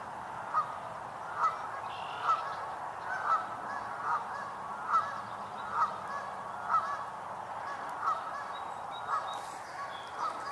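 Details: Geese, apparently on a wetland pond some distance away, honk on a sunny 7 May 2022. About a dozen nasal, mid-pitched honks come in ten seconds, each slightly under a second apart, over a soft outdoor hiss.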